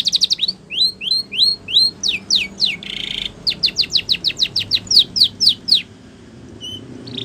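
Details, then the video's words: Spanish Timbrado canary singing a training song: quick upslurred notes, a brief buzzy roll, then a long series of rapid descending sweeps, ending in a short clear whistle. "The Best Spanish Timbrado Song For Training Your canary !! Make Your Canary Singing Again"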